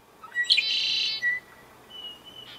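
A Red-winged Blackbird gives a few sharp opening notes, then a harsh, buzzy trill lasting about half a second; a thin, high whistle follows from another bird.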